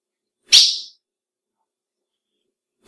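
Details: Calling female ultramarine grosbeak, a call said to stir up males: one abrupt, high, bright chip that fades fast, then a long quiet gap before the next note begins at the very end.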